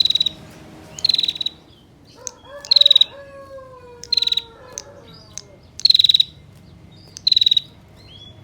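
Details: Female bar-winged prinia giving the long-lasting 'ngetir' call, used to lure males into singing: sharp, high, buzzy bursts about every 1.5 seconds. A lower bird gives drawn, falling whistles partway through.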